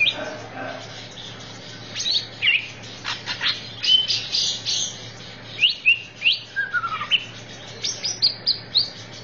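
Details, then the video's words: Greater green leafbird on a masteran training recording: separate sharp chips and short slurred whistles, with pauses between, growing into clipped rhythmic notes toward the end over a quiet background. "MASTERAN CUCAK IJO"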